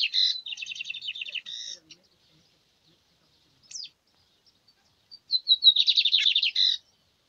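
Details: Lined seedeater song in two bursts separated by a silent gap: rapid, evenly repeated high chirping notes with a buzzy edge, one isolated sharp note between, the second burst dense and trilled.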